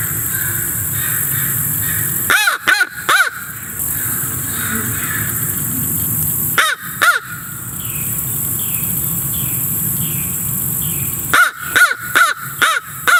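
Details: Raven giving repeated caws in three bursts of three, two and then five harsh arched calls. The calls are rich in harmonics and separated by several seconds of steady background hiss.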